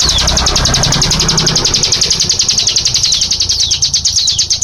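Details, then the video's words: Rapid-fire 'nembak' song of a hill prinia (cigun): quick, even bursts of piercing high notes, each sliding downward, streaming continuously for several seconds with a soft low background drone. "Burung cigun suara nembak"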